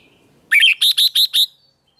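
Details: Red-whiskered bulbul singing during a singing contest: a clear whistled opening followed by four evenly spaced, bright, slightly buzzy notes repeated about every tenth of a second apart, then silence.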